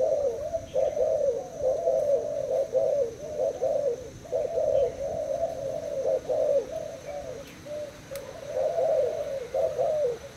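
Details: Spotted dove of Thai stock, kept in a cage, cooing against a decoy in a contest. Nearly continuous run of soft, rolling mid-pitched coos with brief gaps, fairly even in loudness.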